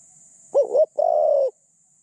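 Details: Spotted dove serving as a decoy to attract other doves, a medium-voiced bird with thin phrasing; one phrase: a brief bouncing two-part note, a short gap, then a sustained low hollow coo, clean background.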